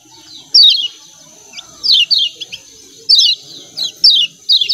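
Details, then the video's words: Scattered 'ciak ciak' calls from a lemon-bellied white-eye in Lombok: bright, high, downward-sliding chirps in pairs, separated by short quiet spells with low background murmur. "CIAK CIAK KECIAL KUNING SUPER AMPUH‼️BIKIN KECIAL SEHAT DAN RAJIN BUNYI"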